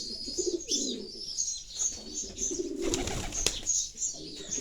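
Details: Pigeon cooing, a deep murmuring phrase heard twice, with shrill sparrow chirps layered on top and a brief rustling burst midway.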